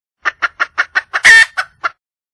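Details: Wild red junglefowl hen calling for a male mate: eight short, evenly spaced clucks about six per second, broken near the end by one loud, harsh, drawn-out squawk, then two final clucks.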